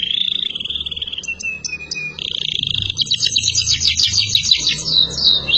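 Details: Canary song intended to teach young canaries: a smooth rolling trill, a level thin whistle, a harsh held trill, then a burst of rapid high chirps and warbles.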